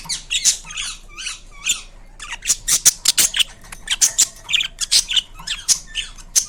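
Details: Indian ringneck parakeet, a pet bird, making varied sounds indoors: bursts of harsh, high screechy squawks and short chattering notes, some clustered rapidly, with quiet gaps between, in a small room.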